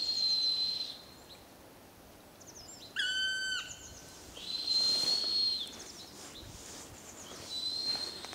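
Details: A black woodpecker calls back in answer to a friend's call, giving one drawn-out, plaintive, slightly falling call, with three long, steady, high pure whistles before and after it.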